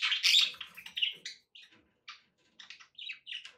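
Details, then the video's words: Pet budgerigars open with a loud, raspy burst of squeaky chatter, then trail off into short, separate chirps and buzzy twitters with small gaps between them. "budgie sounds to encourage your parrot to eat and sing"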